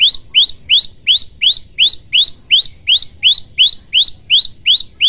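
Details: Male olive-backed tailorbird in full song, a long, very regular series of loud rising chip notes, about three per second, clean and unbroken.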